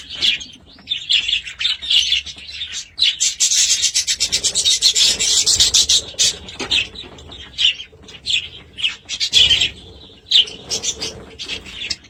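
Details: Harsh, rasping budgerigar warble that runs almost without a break. It swells into a dense, fizzing stretch midway, then breaks into choppy buzzy phrases.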